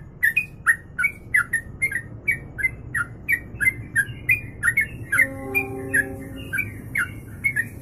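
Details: Kongslet song with long ropelan from a sooty-headed bulbul, for training birds: rapid bright chirps and slurred notes over a noisy low rumble, with steady droning tones joining midway.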